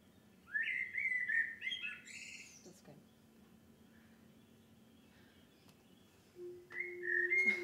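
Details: Common Blackbird recorded in France sings a mellow, fluting warble that ends in a high squeaky flourish, then starts another phrase after a pause, over a steady low hum.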